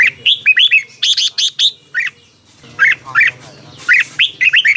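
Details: Red-whiskered bulbul song in Thailand, played to excite caged birds: short bright whistled phrases of rising and falling notes in quick bursts with brief pauses, plus sharp high clicks and a low background hum.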